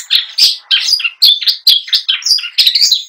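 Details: Captive long-tailed shrike in full mimicry song: a fast run of varied chirps, warbles and scratchy notes following one another with almost no pause.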